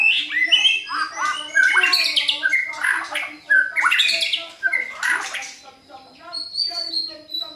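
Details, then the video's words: White-rumped shama song played to provoke a caged bird into answering: loud, varied bursts of whistled and chattering phrases, sweeping up and down, with brief pauses and steady low tonal hums underneath. "PANCINGAN MURAI BATU GACOR pasti nyaut BONGKAR MATERI bila murai batu anda dengar SUARA ini"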